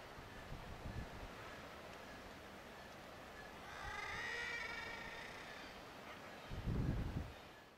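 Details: An Atlantic puffin (Fratercula arctica grabae) at Sumburgh Head, Shetland, UK, in July 2013 gives a single drawn-out, groaning moan lasting over a second, low and nasal, with wind rumble and a few dull thumps around it.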